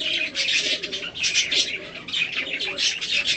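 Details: Pet budgerigar of a colour mutation, tame to the hand, chattering during a feeding and cuddle session; lively buzzy warble in pulsing bursts, swelling and fading every fraction of a second.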